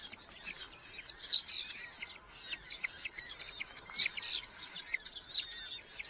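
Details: Nestling Red-footed falcons in a Hungarian colony nest box in July 2025, fed mostly beetles by experienced parents; continuous shrill wavering whines from several chicks, overlapping, with brief clicks and rustles.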